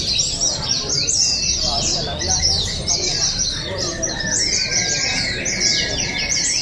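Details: Oriental white-eyes at an open bird singing and style contest, Pesta Bederun Balingian 2023, Sarawak: a dense chorus of high, rapid twittering phrases overlapping without pause, with a faint drawn-out whistle and background crowd noise.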